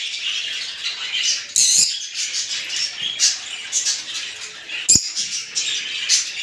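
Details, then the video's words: Mating calls of Rosy-faced and Fischer's lovebirds, used to encourage pairs to breed: dense, continuous high-pitched chattering and squeaky twitters in uneven pulses, with a couple of louder sharp squeaks standing out. "أقوي صوت لتزاوج طيور الروز والفيشر"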